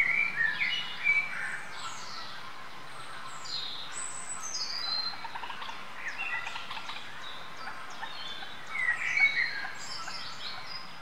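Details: Eurasian coots with young chicks at Westfalenpark, Dortmund, on 19 May 2013. Thin, high peeping and sharp chirps come in scattered, overlapping bursts over a steady low outdoor hum.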